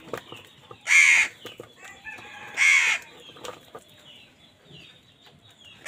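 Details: Harsh, hoarse caws repeated about every one and a half seconds from a crow fighting wild birds over food, with fluttering and small background chirps.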